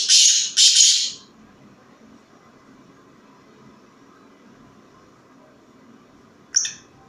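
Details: Sheedi Nasal black francolin indoors, uttering two loud rasping, screechy bursts in quick succession, then a long quiet gap and one short harsh note near the end.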